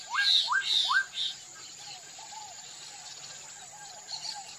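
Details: Black-capped donacobius singing: three loud upslurred whistles in quick succession with harsh high overtones, then a softer run of short looping notes and a faint final phrase.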